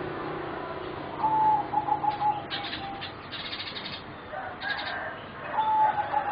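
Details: Competition singing zebra doves, a line bred from wild stock, heard as four youngsters aged roughly 3.5–4 months: two clear, level whistled coo phrases with quick stuttering notes, separated by a burst of scratchy higher chatter, over steady background hiss.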